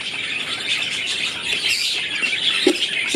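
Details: Budgerigar chicks in a nest box in a lower cage of a home colony breeding setup, one freshly hatched, give a dense, continuous wash of high, scratchy chirps and squeaks, with a few sharper squawks near the end.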